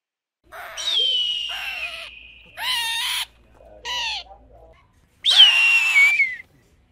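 An eagle gives four loud, harsh screaming calls over about six seconds, some sliding down in high whistled tones. No other sounds stand out.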